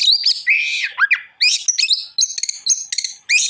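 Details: Kacer, the Oriental magpie-robin, singing energetically in gacoran style, pouring out fast mixed phrases of rich whistles, rasping notes and quick chattering bursts, changing pitch constantly.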